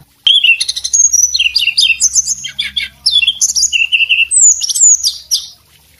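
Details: A male Sunda robin sings a fast, unbroken run of high, varied whistles, slurred notes and chirps, over a faint low hum.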